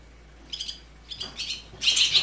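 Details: Swallow chicks being raised in the nest, begging: three bursts of high, harsh, rapid chittering, the last loudest and longest, over a quiet background.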